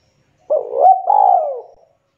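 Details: Spotted dove calling its companions: a single throaty cooing phrase near 600-800, a short rising note joined to a longer sliding coo that falls away at the end, in quiet surroundings.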